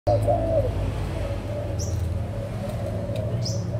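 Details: Adult spotted doves from Malaysia and Thailand, recorded 16 March 2022: a low, wavering coo opens the clip, then softer cooing lingers under a steady low rumble, with two brief high chirps from other birds.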